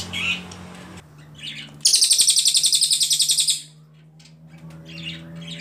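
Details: Ashy Tailorbird (cililin) delivering a single long burst of fast, high, pulsing notes lasting nearly two seconds, as a tutor song for training other songbirds; brief chirps before and after over a faint low hum.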